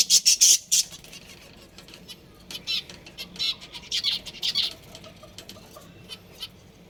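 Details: Budgerigar breeding pair: a loud cluster of sharp chirps opens the recording, followed by softer, rapid chattering chirps and squawks that repeat irregularly for several seconds.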